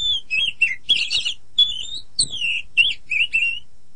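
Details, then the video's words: Kacer (oriental magpie-robin) tutor song: repeated mellow whistled phrases falling in pitch, interleaved with short buzzy chatter, delivered in clear separated bursts. "Masteran Terbaik Kacer"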